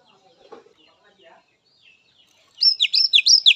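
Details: Oriental magpie-robin from the wild, song used as therapy for captive birds: near silence with faint murmurs, then a loud burst of rapid, repeated sharp descending whistled notes, about five in a second.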